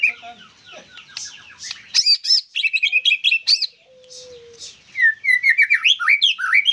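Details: White-rumped shama held in a cage singing loud bursts of high chips and rapid trills, separated by a short quieter pause with a faint low tone, closing in sweeping whistled slurs.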